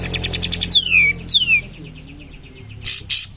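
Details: Cream-vented bulbul song used as a lure to stimulate other birds: loud whistled notes sliding steeply downward, two in quick succession, with a buzzy chatter before them and harsh bursts near the end.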